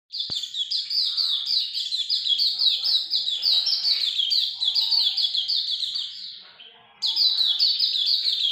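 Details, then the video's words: Hume's white-eye in energetic 'gacor ngalas' singing: a rapid run of high, thin, downward-slurred notes, about three per second, briefly fading near the sixth second before bursting back at full strength. "Pleci Auriventer gacor ngalas longgun"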